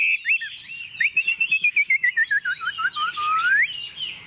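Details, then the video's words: A tame hwamei on a table sings a string of quick, evenly spaced whistled notes that gradually drop in pitch, ending with one long rising sweep. "Họa mi thuần xách tay đặt bàn tự tin hót"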